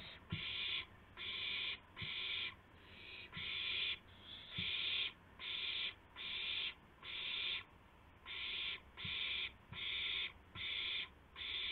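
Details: Owl at 2:51 AM, 2 April 2016, as a gopher is carried to its mate; a dozen harsh, breathy screeches in a fast, even series, roughly one per second, with faint taps below.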